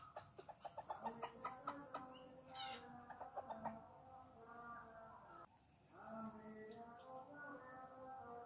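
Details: Red junglefowl in the jungle gives a quick run of short, harmonic clucking notes over the first four seconds, then longer steady tonal calls. Thin whistles from other birds sit faintly above.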